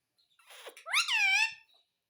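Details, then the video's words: Indoor ringneck parakeet kept as a pet, said to talk "mummy papa": a soft hoarse lead-in, then one strong, ringing, harmonic vocalisation that sweeps upward and holds steady for about half a second. "Parrot Talking _ Mummy Papa Bolne Wala Parrot"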